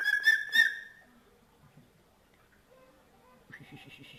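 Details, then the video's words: An eagle calling at night, described as a strange, goosebump-raising sound; a loud, rapid, harmonic chattering burst opens, then quiet, low stuttering notes follow before a fresh pulsed series starts near the end. "Suara Aneh Burung Elang di Malam Hari"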